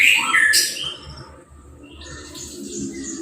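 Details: A red Orange-headed thrush just after moulting, uncovered and freshly sprayed with a hose, gives a brief burst of varied, sweet, high whistled notes in the first second, then quieter scattered chirps over a soft background hiss.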